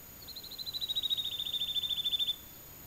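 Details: Singing Woodlark, early summer, fallow ground in southern Alentejo, Portugal, some 20 metres distant: one long, rapid trill of many repeated whistled notes, gently descending in pitch and swelling in loudness before stopping abruptly.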